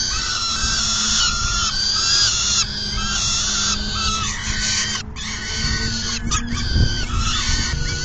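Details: Feeding time at a peregrine falcon nest, June 10, 2022. Loud rasping screeches run in long stretches, pausing briefly near the middle, over constant low-pitched wind noise.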